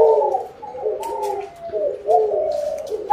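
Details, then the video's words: Spotted dove calling, said to call for a bountiful harvest; low soft cooing notes run together in a continuous wavering phrase, with faint clicks behind. "Tiếng chim cu gáy gọi no, mùa màng bội thu"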